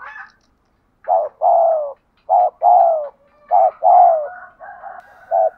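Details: Spotted dove giving urging coos used to train decoy birds: low, mellow coos in repeated pairs, a short note then a longer drawn one, roughly every second, with softer calls near the end.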